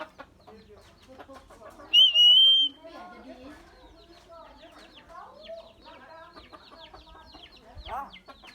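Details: Common myna, known here for many sounds and for learning human voices, mixes rapid chattering, clicks and nasal notes with one loud high steady whistle and a later falling squeal.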